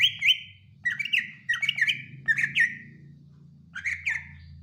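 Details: Cucak ijo, or Greater Green Leafbird, in a comparison of BWI, Kalimantan and Sumatran song: loud slurred whistles in short clusters, some notes sweeping down, over a steady low hum.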